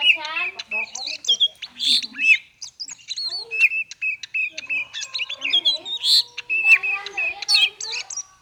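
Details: Oriental magpie-robin (kacer) in the 'konslet' singing style, used as a lure to prompt birds that are reluctant to sing: rapid varied whistles, trills and chattering notes, mostly high, with quick pitch swoops and short gaps.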